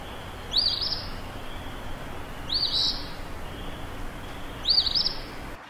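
Eastern Phoebe giving three harsh, buzzy two-part songs, about two seconds apart, over a low steady background hum.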